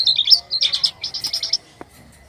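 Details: White-vented myna in lively, odd-sounding song: a quick string of high chirping notes in three short bursts, each tightly repeated, ending with a single sharp click.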